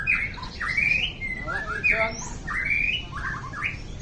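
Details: White-rumped shama, described as a small bird with a fierce voice and a champion in every class: rich, varied song of slurred whistles and rising, buzzy phrases, delivered in quick successive bursts over a low background hum.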